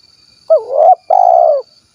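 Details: Spotted dove from Cilacap, Central Java, Indonesia, in its 'kuk 1' style. A rising, wavering coo is followed after a brief gap by a long, throbbing coo that tapers down. Weak high-pitched hum in the background.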